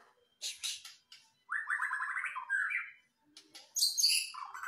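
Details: White-rumped shama, called murai batu, delivering harsh buzzy bursts followed by a rapid stuttering trill, a rising whistled phrase, then very high scratchy notes.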